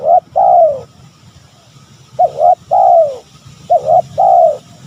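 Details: Spotted dove calling to draw out rivals: after a clipped opening phrase, two full phrases follow, each a brisk two-part coo and then a drawn-out descending coo, with a soft low hum beneath.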